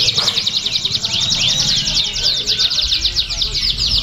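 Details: A contest canary sings a rapid, continuous stream of high, rolling trills and chirps at a songbird competition in Pringsewu on 22 September 2019, nominated despite a below-par performance, with some low background murmur.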